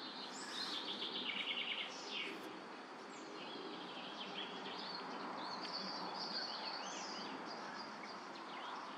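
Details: European bee-eaters in La Brenne, France, in 2023 give short, rolling, liquid calls, several overlapping at a quick irregular pace. A steady hiss of outdoor background noise runs underneath.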